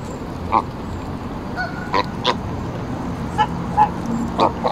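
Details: Embden geese in Longton Park, Stoke on Trent, England, on 18 July 2022, being petted and fed by hand; short nasal honks come every half second to a second amid a steady hiss of background noise.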